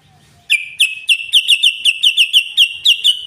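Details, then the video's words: Yellow-vented bulbul giving a long 'ropel' rapid-fire song, used as a lure to draw birds: after a short silence, about a dozen sharp, bright chattering notes tumble out in quick succession, each a ringing upward-flicked tone, with no other sounds. "ROPELAN BURUNG TRUCUK PANJANG❗❗❗SUARA BURUNG TRUCUKAN ROPEL"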